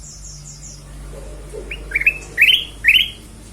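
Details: Lure song of the ruby-throated bulbul (kutilang emas), meant to trigger other birds: a soft run of very high ticks, then three loudening rising chirps in quick succession.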